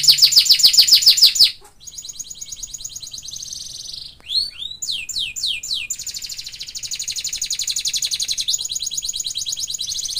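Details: Canary in kenari isian masteran song: a quick trill of sharp falling notes, then a long, high, buzzy rattling stretch broken by a few swooping slurs.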